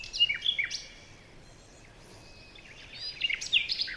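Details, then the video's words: Birds in a forest in the morning: bright high chirps and short whistled notes, a cluster at the start, a quieter gap, then a busier burst of mixed twittering near the end. "Morning birds chirping sounds"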